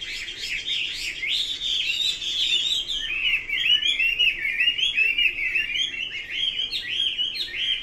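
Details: Chinese hwamei in full song for nearly eight seconds, a crowded run of quick whistled and warbled notes, first higher and dense, then a lower rolling series of repeated slurred phrases.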